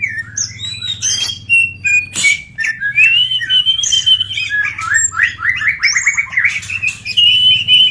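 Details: Greater green leafbird song played to prompt other birds to sing: a rapid, varied run of clear whistles, sliding notes and chattering trills, with a steady low hum underneath.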